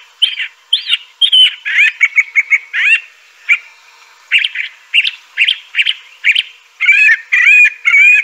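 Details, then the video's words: Crissal thrasher (Toxostoma crissale) in continuous song: quick chirped notes about two per second, rising slurs and burry warbles, ending in longer whistled, down-slurred phrases. "Crissal Thrasher bird song.(Toxostoma crissale)."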